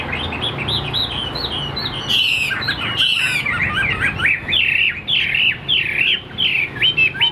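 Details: A yellow-plumaged male Chinese Hwamei in the afternoon, perhaps not yet in full song, sings a rich, continuous run of loud whistled phrases, swooping up and down and repeating notes in quick succession.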